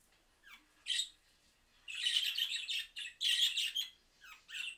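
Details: Budgerigars calling back to a recording played from a mobile phone: a few descending chirps, then a sustained run of raspy, scratchy warbling chatter in overlapping bursts.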